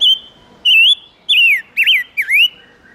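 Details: Silver-eared mesia singing as a lure for wild birds and to stir up males. Bright whistled phrase of five notes, a steady high whistle, then wavy rising-falling slurs in quick succession, ending with a soft lower note.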